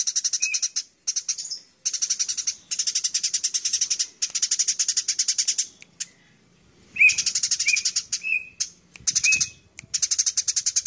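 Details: Eurasian tree sparrows in a fight: rapid, rattling volleys of harsh chirps in repeated bursts, broken by a two-second gap, with short upslurred squeaks scattered between the volleys.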